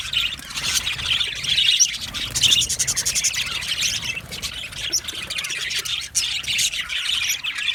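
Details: Happy budgerigars in an aviary colony give dense, overlapping high chirps and warbles, a continuous twittering wall of sound with brief louder bursts around the second and third seconds.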